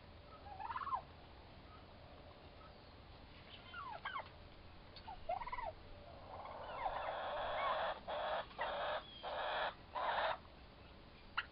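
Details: Two young turkey toms, both about four months old, fighting; a series of short rising gobbling yelps early on, then longer loud broadband bursts repeated in quick succession with brief gaps.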